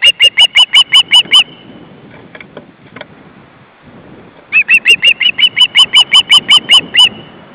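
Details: Nest of ospreys with three chicks, afternoon of 29 August 2012: two bursts of quick, high whistled yelps separated by a few seconds of quiet rustling.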